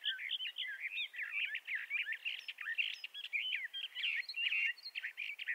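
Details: Sustained warbling from a Bendire's thrasher in western North America: dense, rapidly shifting slurred whistles, rising and falling, strung together without breaks.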